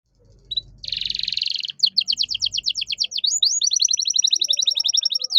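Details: Canary masteran song with cengkok mewah for training caged birds: a harsh buzzy burst, then rapid repeated sweeping notes and a long, very fast even trill; faint low background rumble at the start.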